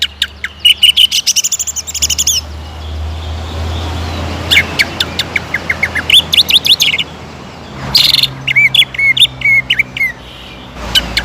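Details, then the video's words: Greater green leafbird provoked into aggressive, continuous singing. Bursts of quick clicking notes and looping whistled phrases come in spurts separated by short gaps, over a steady low hum. "PANCINGAN CUCAK IJO GACOR AGAR MAU EMOSI DAN NAIK MENTAL,LANGSUNG JAMTROK"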